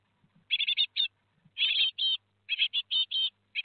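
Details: At Théding, France, on 17 July 2020, four Great tit chicks fledge, calling in dense bursts of harsh, buzzy chirps, some drawn out, over faint low hum.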